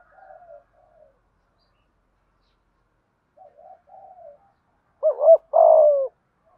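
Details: Spotted dove used as a decoy, giving a calling coo in the middle voice style. After several seconds of faint, low murmuring, two loud, low, husky coos end the clip: a short hooked note, then a longer slurred note that falls in pitch.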